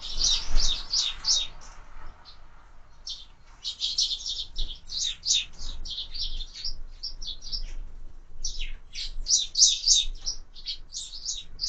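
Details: Sparrows at window-mounted feeders during feeding, producing rapid runs of sharp high chirps, about three a second, in irregular bursts with brief pauses near two and eight seconds.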